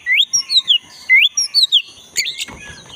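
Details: Wild black-breasted white-rumped shama in forest, song used to spur a non-singing caged shama: sweet rising and falling whistled phrases, several in quick succession, ending with a harsh burst and rustling noise.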